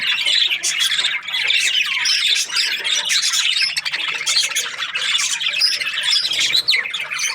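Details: Budgerigar; warble; contentment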